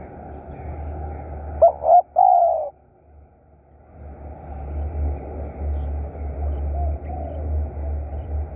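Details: Spotted dove used as a decoy. A single phrase of short stuttered notes runs into a longer hollow coo, followed by low rumbling background noise and faint distant cooing.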